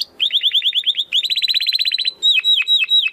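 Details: Domestic canary, recorded as tutoring material for contest birds, sings fast series of rising chirps that speed into a rolling trill, ending with several loud swooping notes.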